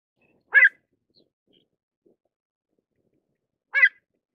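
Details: Pied avocet uttering two short, sharp yelps roughly three seconds apart, with faint soft ticks in between and otherwise quiet surroundings.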